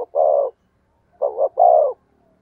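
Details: Spotted dove calling, played to lure wild doves: a short note and a drawn coo, a pause, then a doubled note rolling into a longer hollow coo.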